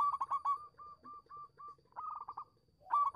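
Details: Local zebra dove song used to prompt quiet doves to respond. A fast cluster of coos opens, followed by evenly spaced single clipped notes and two more rapid rolling bursts.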